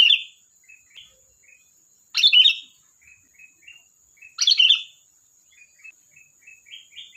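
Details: Energetic sooty-headed bulbul: an opening note, then two loud gurgling phrases a little over two seconds apart, interspersed with gentle short chirps rising in pitch.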